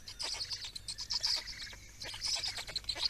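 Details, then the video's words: Feeding black storks, Estonia, 17 May 2019: dense, scratchy high-pitched calling that runs almost without break, pulsing in fast, irregular bursts. "Estonian Black Storks - Feeding"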